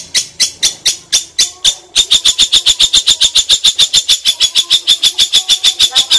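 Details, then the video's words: A long-tailed shrike gives a very long, powerful run of sharp, high chattering notes mimicking a kingfisher, about three or four a second, growing steadier and louder. "CENDET NEMBAK TENGKEK BUTO SUPER PANJANG"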